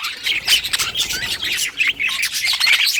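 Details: Happy parakeet song: nonstop bright chirps and squeaky twitters in fast bursts, with short whistled slides mixed into the chatter.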